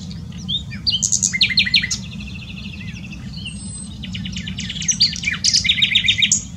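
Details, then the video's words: Nightingale in full song at Dohr, Eifel, Germany, delivering bursts of rapidly repeated clicking notes separated by brief pauses and varied high whistles, the pulsed series returning strongly toward the end; a low rumble runs throughout. "Nightingale singing. Nachtigall singt."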